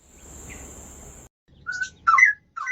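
Straw-headed Bulbul giving a few loud, liquid, bubbling warbled phrases in the middle pitch range, after a second of steady hiss and background noise.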